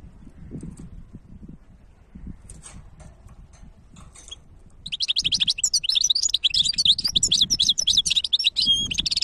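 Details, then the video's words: Goldfinch hybrid in song, filmed in 2023: low background noise for the first five seconds, then a loud, dense burst of rapid high twittering and buzzy trills fills the rest. "تغريد وابداع هجين الحسون ولا اروع"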